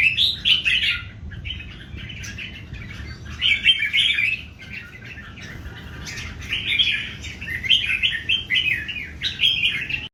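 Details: Three old wild-caught red-whiskered bulbuls in a singing duel; short bubbly warbled phrases repeat every second or two, one bird answering another, over a faint low rumble.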